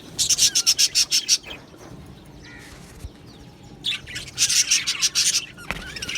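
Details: Australian budgerigars in an aviary colony giving two bursts of fast, evenly repeated sharp chirps about three per second, separated by a quieter stretch of softer twittering.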